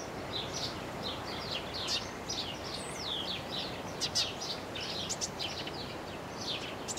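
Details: Eurasian tree sparrow singing: a busy run of short, high chirps and twittery notes, several overlapping, over a steady background hiss.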